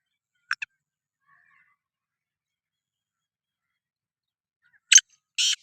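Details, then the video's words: Sindhi kala teetar, or black francolin, calling: a brief double scratchy note, a long pause, then two loud rasping bursts close together, all harsh and broadband against silence. "Kala Teetar Voice | Black Frankoline Voice | Sindhi Kala Teetar Voice کالا تیتر کی بولائی"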